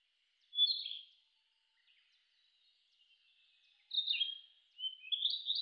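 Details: A Narcissus flycatcher in the Shin'etsu highlands of Japan in mid-June 2019, still territorial after breeding, sings short, clear whistled phrases with a soft, thin warble between them; Narcissus flycatcher.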